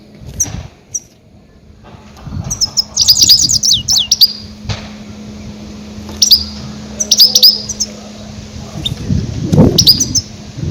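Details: Goldfinch calls used as a lure for catching grey-headed goldfinches: loud, high, sharp chirps in rapid bursts of several notes, sliding down, with short pauses between bursts and faint low indoor noise.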